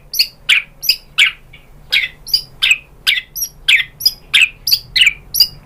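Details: White-rumped shama sound meant to prompt other shamas to reply: harsh, scratchy chack notes repeated steadily about one and a half per second.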